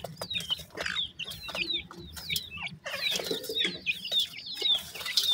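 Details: Partridge chicks in Pakistan give bright, high peeping notes, each a short falling whistle, in steady overlapping runs of nearly two per second over soft scratching.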